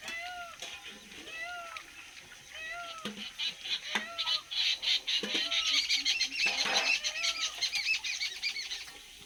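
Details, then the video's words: Peacock call: short, arched, nasal notes repeated about every second, over a busy background of higher chattering and rustling that grows louder midway; Indian peafowl. "sound of peacock"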